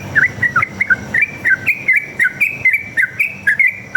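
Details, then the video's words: Sooty-headed bulbul in continuous 'ropel' fighting song, aimed at making other bulbuls reply: a brisk, unbroken run of bright whistled notes, each a quick up-and-down turn, roughly four per second. "PANCINGAN trucuk gacor ngalas tarung ropel"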